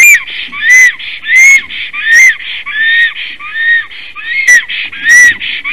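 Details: A black stork (Ciconia nigra) in Latvia, newly arrived on 17 April 2019, gives a long series of hoarse, wheezy notes, each with a clear whistled tone that rises and falls, repeated about every second with noisy bursts between.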